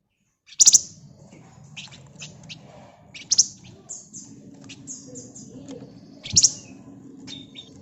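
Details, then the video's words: Singing flamboyan bird delivering its ngebren style, a rapid, close-packed song meant as a lure for other flamboyans; shrill high buzzy chirp bursts and short ticking notes, strongest near the start and end, over faint low background noise. "Burung Flamboyan Gacor Ngebren Rapat Pancingan Ampuh"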